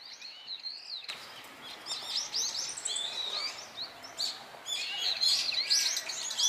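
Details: Brown-eared bulbuls calling loudly in a blooming cherry tree while feeding on flower nectar: a dense overlapping chatter of high, squealing and slurred notes after a quiet first second, with steady background hiss.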